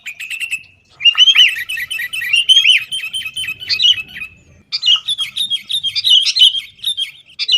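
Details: Sooty-headed bulbul fight-style song for luring caged birds to sing: after a short opening note and a second's pause, busy chattering warbles run, break off near 4.5 seconds, then resume with sharp rolling phrases.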